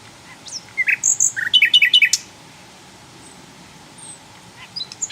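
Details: Wild Javan flycatcher singing in the open; a sweet, varied phrase of clear whistled notes, some rising and some falling, then a quick run of short bright notes, followed by quiet with a few distant chirps.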